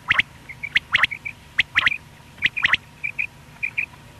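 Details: A lone male quail, morning and night calling in a hunting setting, repeats crisp clipped notes in tight pairs and triplets about once a second, interleaved with short soft whistles.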